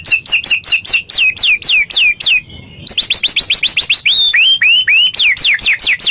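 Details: White-rumped shama song used as a lure for caged birds: rapid series of loud down-slurred whistled notes, nearly four per second, broken by one brief pause, then continuing with varied curved whistles.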